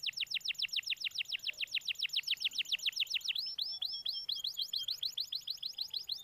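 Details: Canary song played to encourage a silent canary to start singing, consisting of fast rhythmic runs of sharp descending notes, shifting midway into slightly slower looping whistled figures, all repeated several times per second.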